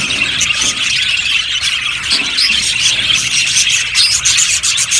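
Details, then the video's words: Colony of yellow budgerigars in an aviary keeping up constant chatter: rapid, overlapping high chirps and scratchy warbles, with short sharp clicks rising above the flock noise. "Beautiful Budgies sounds | Budgies chirping sounds"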